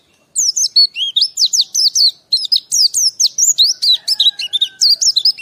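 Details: Pleci, or white-eye, in sustained rapid song: a loud, unbroken stream of high warbled and twittered notes, each phrase sliding up and down, with only one brief pause partway through.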